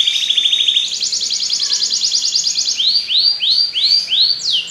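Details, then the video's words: Belgian canary song starting with a rapid trill that jumps higher, then several slow arched whistled notes spaced about half a second apart. "Canário Belga cantando"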